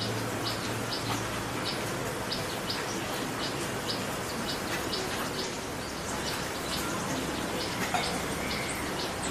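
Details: Dusky warbler, a migrant wintering visitor, in a backyard in West Bengal, India, in autumn in low evening light, giving hard, clicking 'tack' notes, several per second, over a steady hiss of background noise.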